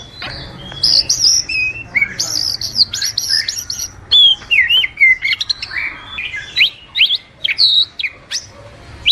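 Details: Oriental magpie-robin song meant to train or lure birds: high sweet whistles and fast trilled chips, then a series of sharp rising and falling notes repeated in short bursts, loud against quiet background hiss.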